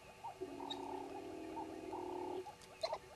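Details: Red-billed hornbills calling at Djuma at 05:34 on 10/02/19: short runs of hollow clucking over a long low buzzy tone, ending with a couple of sharp clicks.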